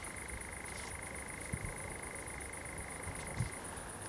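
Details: In a Bizkaia pine wood at Zamudio on a July 2020 night, a common nightjar churrs in an even, unbroken trill that cuts off near the end, over a constant high hiss and a few soft low thumps.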